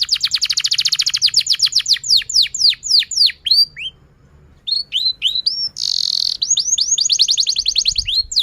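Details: A canary in full, long song used as a stimulus to teach young canaries to sing, pouring out fast trills of high, sweeping whistled notes, several rolling series, then a brief buzzy note and another rapid trill.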